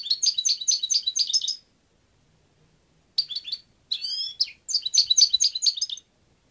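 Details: European goldfinch singing: bursts of fast, liquid twittering and tinkling notes high in pitch, the longest lasting about a second and a half, separated by short pauses, with a clean quiet background.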